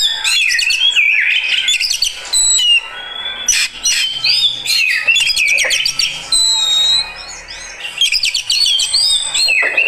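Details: Reacting kacer, an Oriental magpie-robin of fighter type, pours out sweet whistled notes, sliding slurs and quick buzzy trills in bursts separated by brief softer gaps.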